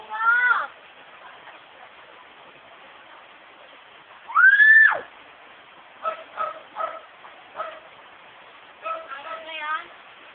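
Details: Pet female myna at home, mimicking words and conversation she hears in the household. Harsh, harmonic whinny-like bursts open, then a loud rising-and-falling cry, paired clipped syllables, and a quick stuttering run at the end over a quiet room.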